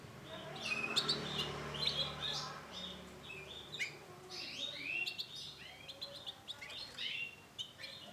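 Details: Isabel female canary with scattered high chirps and short sweeping notes, quiet and irregular, alongside some low background sound near the start.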